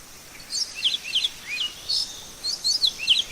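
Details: Great-billed seed finch in the wild, giving bright whistled phrases of brief slurred notes that rise and fall, delivered in separate bursts about every half second over a soft steady hiss.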